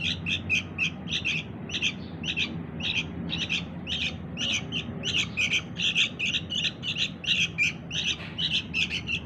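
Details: Young sooty-headed bulbul calling to lure its parents: rapid, continuous chirping of sharp high notes, several voices overlapping in a dense chattering chorus, over a low background hum.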